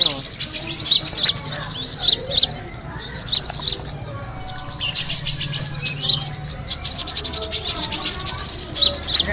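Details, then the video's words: Kemade bird attracting call: bursts of shrill, busy chirping that briefly thin out near the middle, then return just as dense, over a quiet low drone. "the sound of the kemade bird attracting noise"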